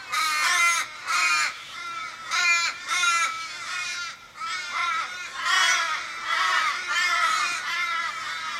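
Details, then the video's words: Wild Australian ravens in Kellyville, Sydney, 1 July 2012, over fifteen birds circling an injured raven in the street and mourning its death. Loud, harsh, wailing caws come in bursts about every second, some overlapping, with brief quieter gaps. "Australian ravens mourning member's death"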